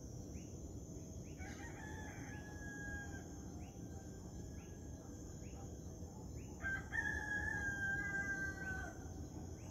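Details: At sunrise, a rooster gives two drawn-out crows with a strained, wavering tone, the second louder, over a steady high hum of crickets, a regular ticking beat and a low background rumble.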